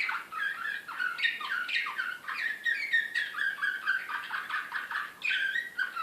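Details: Serbian slavujar canary from Belgrade, 2016, singing excitedly: a dense, unbroken series of rapid descending chips and rattling rolls at mid pitch, steady in loudness throughout.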